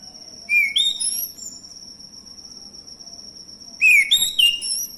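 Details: Male orange-headed thrush, used as a song lure for other birds: softer phrases of varied whistled notes, some sliding up and some dropping, given in two groups about three seconds apart against a constant shrill background tone.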